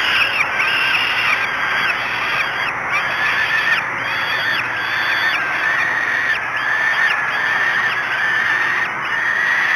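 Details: Falcon nest at Great Spirit Bluff at dawn on 24 May 2016, during the first feed of the chicks. Rasping, slurred calls come in irregular bursts, partly masked by broadband hiss and a steady high tone.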